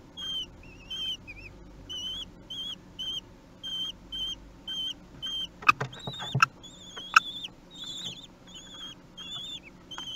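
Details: Common kestrel chicks aged three weeks beg during feeding at Théding, France, 8 June 2021: regular short high whistled squeals about twice per second, broken by scratchy knocks and rustling, then rougher wavering calls.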